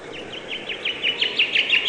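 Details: Bird chirping: a rapid, even string of short high chirps, about eight per second, growing louder toward the end, with a soft murmur of background noise.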